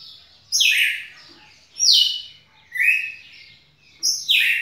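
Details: A red-cowled cardinal, returning to its activities and singing a lot on 9 November 2018, sings loud, clear phrases that drop sharply, repeated about every second.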